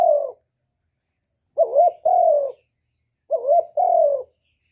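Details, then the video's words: Single-ending coo of a spotted dove, called một hậu: a wavering short note, then a longer soft descending coo, the phrase given twice about two seconds apart after a trailing coo from the previous phrase. "cu gáy gọi một hậu ròng mới nhất"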